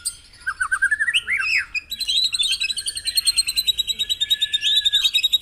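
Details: White-rumped shama song for stimulating caged birds in the morning: a few rising slurred whistles, then a long, even, rapidly pulsed high trill running to the end.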